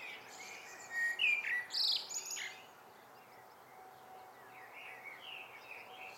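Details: Common blackbird in the evening: a brief burst of warbled whistles and high squeaky notes early on, then soft distant twittering fading over a constant low background hum.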